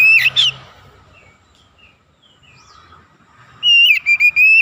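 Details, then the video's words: Oriental magpie-robin song used to provoke other magpie-robins: a brief high note at the start, faint distant chirps, then a loud run of level whistles near the end. "PANCINGAN TERCEPAT MENAIKAN EMOSI KACER GACOR DENGAN CEPAT"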